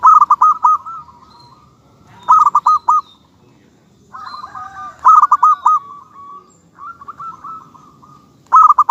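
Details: Zebra dove, local type, repeating short bursts of three or four punchy coo notes every few seconds, trailing into softer rolling coos, with a quieter dove singing between phrases.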